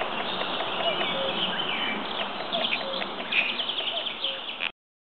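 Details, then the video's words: Several birds sing at once in the woods of Rasca, Suceava, Romania, a busy tangle of high chirps, trills and short whistles, with a few lower notes over a steady background hiss. "Cantec de pasarelele"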